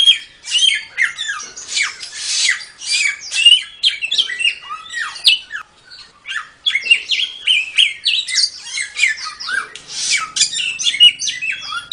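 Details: Samyong song used as a master recording for training songbirds: a loud, nonstop torrent of varied whistles, slurred notes and harsh chatter, delivered rapidly with only one brief pause.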